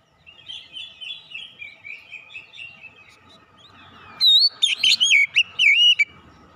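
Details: Oriental magpie-robin fighter-character song used as therapy for untrained kacer birds: soft, rapid chattering warble at first, then a loud run of ringing, looping whistles repeated in quick succession.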